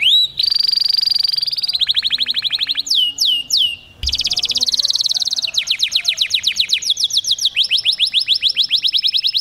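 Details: Caged canary in agitated mating song, switching between tours: sustained rapid high trills, a few looping whistled slurs, then fast runs of repeated rising sweeps, all bright and continuous.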